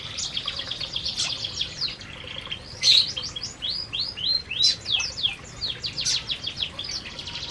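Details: Canaries feeding together in an aviary keep up a dense, high twittering of rapid, down-slurred chirps in bursts, overlapping from several birds with a few sharper accented notes.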